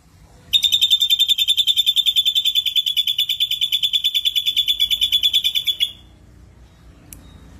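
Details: Prolific ashy drongo song, part of a lure recording: after a brief quiet, a fast, even, rattling trill at high pitch runs about five seconds and stops abruptly, followed by a single faint click.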